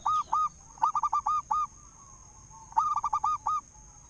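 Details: Zebra dove of local wild stock, aged five, a loud and persistent singer kept to prompt other doves to sing; a quieter rhythmic series of clipped coos in two phrases, with background hiss and a thin constant high tone.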